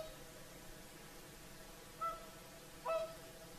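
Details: Whooper swans, several birds, calling in their evening song at sunset on the Saimaa lakeshore, Finland; two resonant trumpeting honks about a second apart, the second louder, over a calm, hissy background.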